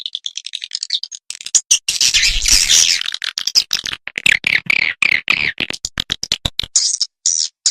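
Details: Swiftlets on a stereo lure recording for swiftlet farming, a calling and roosting sound meant to draw the birds in. Dense, high buzzy chirps and twitters come in rapid bursts, with a short noisy rush partway through and brief gaps between phrases.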